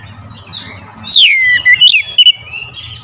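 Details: Oriental magpie-robin lure song. After a soft warble, a loud whistle slides steeply downward, followed by a second falling slur and two crisp clicks. The song fades into a quieter, thin twitter.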